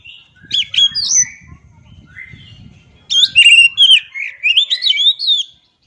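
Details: Oriental magpie-robin song: bright whistled phrases with sharp rising and falling notes, one short burst near the start and a longer varied run after a pause, over a faint low rumble.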